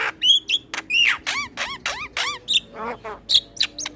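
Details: Male Asian pied starling singing for training other starlings: loud whistled notes and a series of wavering, rising-and-falling nasal calls, with sharp clicks and bright whistles in between.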